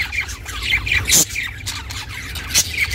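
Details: Pet budgie calling for the benefit of budgies living alone: short chirps punctuated by two loud, harsh squawks about a second and a half apart, over a low background hum.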